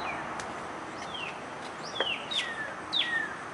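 A cardinal gives clear, loud whistles that slur sharply downward, about three in quick succession, over a soft, steady outdoor hiss.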